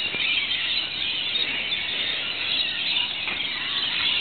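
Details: Rainbow Lorikeets and other birds in Australia calling at the onset of rain after hot sweltering days: an unbroken chorus of harsh, high-pitched screeches from many birds at once.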